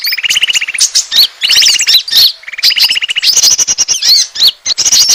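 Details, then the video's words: Asian glossy starling lure call for attracting birds, alternating short buzzy rattles with shrill squeaky whistles and chirps, ending in a dense run of sharp high notes. "suara pikat burung konin ampuh"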